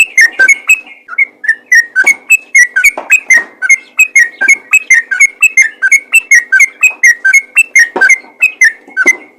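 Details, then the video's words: Yellow-vented bulbul, a lively calling bird, giving a lure call meant to make other bulbuls answer: rapid bubbly, chuckling whistled notes repeated about three times a second in a steady, unbroken stream, with sharp clicking edges. "PANGGILAN BURUNG TRUCUKAN ROPEL GACOR FIGHTER||TRUCUKAN LAIN PASTI LANGSUNG IKUT BUNYI"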